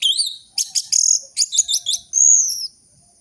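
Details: Lively orange-headed thrush song from a lure recording meant to restart singing in idle caged birds: varied rippling whistles, quick buzzy stutters, and a final drawn-out high whistle.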